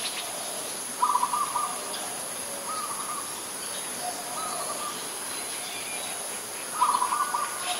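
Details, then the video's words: Adult zebra dove recorded at Ubon Ratchathani, Thailand, on 13 May 2022: short, rolling, trilled cooing phrases come every one to two seconds, with softer notes between, over a steady high hiss and faint chirps of other birds. "นกเขาชวา (Zebra Dove)"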